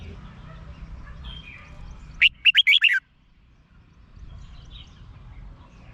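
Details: Red-whiskered bulbul song played to excite caged birds in Thailand: one loud, quick phrase of five bubbly, warbled notes rising and falling, followed by quiet background hum.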